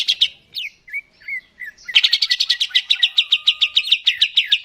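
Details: Singing cucak ijo, the greater green leafbird, played to stimulate birds to sing: varied whistled and slurred phrases, then a steady run of rapid, evenly repeated chip notes; a faint thin tone runs underneath.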